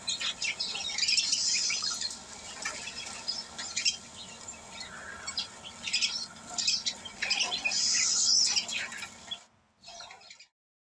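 Black-capped Chickadee giving busy, high chips and buzzy chick-a-dee notes in irregular bursts, with a steady low hum underneath.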